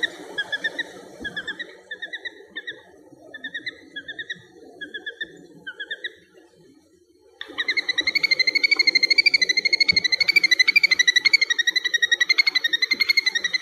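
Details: A little grebe at Dapeng Bay, Taiwan, on 22 April 2024 gives a run of short, high, rising squeaky notes, then after a pause a long, fast, wavering whinnying trill, over a low background rumble.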